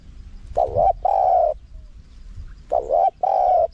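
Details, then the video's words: Wild-style small-voiced spotted dove call played to draw in wild doves. Two phrases, each a wavering double-noted coo followed by a long, steady coo, with quiet gaps between. "เสียงนกเขาใหญ่ คารมป่า (เสียงเล็ก) มีขัด มีหนุน คูอ่าง ใช้สำหรับเปิดต่อ ยั่วนกป่าเข้าร่วมเร็ว"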